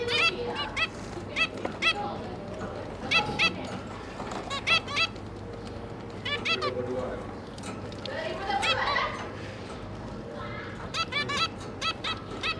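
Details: Adult zebra finches feeding their three young: frequent brief nasal toots in bursts and clusters, some overlapping, with softer lower sounds in between and a steady background hum.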